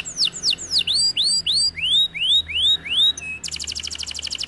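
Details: Canary song in the kenari gacor manner: quick downward-curving whistles giving way to a sequence of rising arched sweeps, then a sudden rapid, bright chattering trill to the end.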